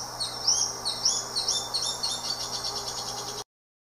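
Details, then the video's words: Crescent-chested puffbird (barbudo-rajado, Malacoptila striata), endemic to Brazil, sings a run of very high, thin, slurred whistles, about two notes per second, over a faint steady hiss before it cuts off. "Barbudo - Rajado - Canto"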